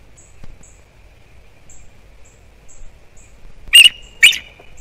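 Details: Bald eagle at a nest on Captiva/Sanibel Island, Florida, on a December 2021 morning, calling in alert at something beside the nest. After quiet ambient hiss, two loud, sharp, high chirps sound in quick succession near the end.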